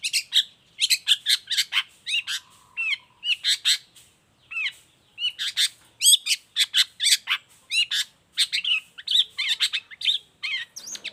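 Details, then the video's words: Long-tailed shrike singing rapidly, a recording meant as a model and provocation for other shrikes. Dense runs of harsh chips alternate with curling slurred whistles, with a brief low buzzy trill near the start. "Cendet gacor cocok buat masteran juga pancingan cendet lainnya"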